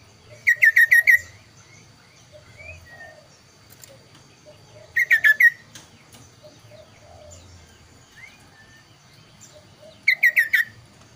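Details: Kaso-kaso bird repeating its phrase three times, about five seconds apart, each a fast string of bright down-slurred whistles, with soft chirps and faint slurred notes between.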